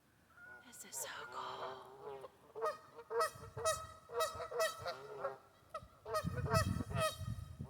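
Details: Geese in a local park in West Virginia give loud, nasal two-note honks, repeated roughly twice a second in ragged bursts, with a person's voice briefly heard at the start.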